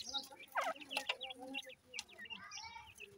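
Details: Peeping of grey francolin chicks, thin down-slurred chirps repeated rapidly and irregularly, mixed with a couple of louder sharp notes and lower clucking sounds underneath.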